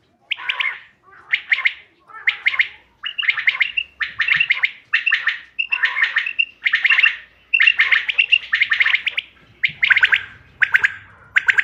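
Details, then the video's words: Common quail lure call for hunting, dated 5 June 2025: steady series of short, dense pulsed bursts, some carrying a brief whistled note, repeated about every three-quarters of a second. "bater ki awaz shikar k liye behtareen awaz quail bird sounds for hunting بٹیر کی آواز"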